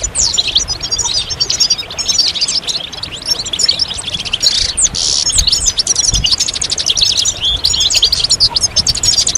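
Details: European goldfinch chorus for coaxing birds out of moult: continuous, very high, sizzling twitters and trills from many singers, dense and even throughout, little low-frequency sound.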